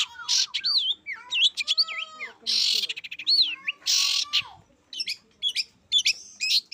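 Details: Long-tailed shrike singing vigorously, mixing loud harsh squawk-like bursts with clear looping whistles, quick rising and falling slurs and short stuttered note series, tightly packed and constantly varied.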